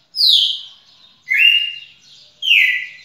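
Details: Three ringing whistled phrases from a red-cowled cardinal, the first sliding downward, the next two steadier and slightly buzzy, spaced just over a second apart.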